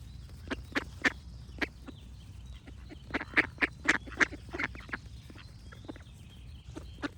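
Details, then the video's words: Clear, punchy duck quacks in loose clusters, some loud and ringing, with short quieter gaps and faint thin bird whistles behind. "Cute Ducks Quack Sound Effects with Birds Singing"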